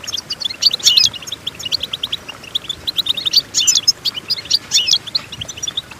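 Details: Goldfinch song used to teach goldfinches to sing: fast, continuous twittering of short bright chirps with occasional sharp buzzy notes, steady and busy throughout, with no other sounds.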